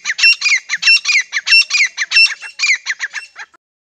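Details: Grey francolin male and female pair in breeding season, used as a hunting sound: a rapid run of harsh, grating notes, about five a second, continuing for over three seconds before stopping abruptly.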